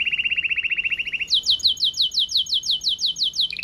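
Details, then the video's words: Red mosaic agate canary sings a powerful, fast even trill, then switches to a higher series of repeated rising sweeps, about four per second, before a final trill. "CANARIO CANTANDO - Powerful song of Red Mosaic Agate Canary"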